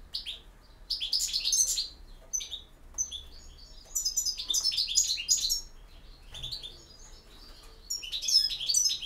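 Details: Singing European goldfinch, campero style: long chattering runs of rapid, liquid, high-pitched notes, broken by brief pauses and thin whistles.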